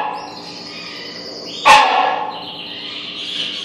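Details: Rhinoceros hornbill in an aviary in Pittsburgh, barking: a single loud, harsh, broadband bark with a sharp onset, fading over about a second, over a steady background hum and faint high tones.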